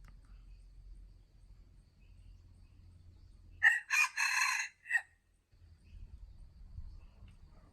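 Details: Cockerel crowing once: a raspy crow split into four quick bursts over about a second, set against a steady low hum before and after.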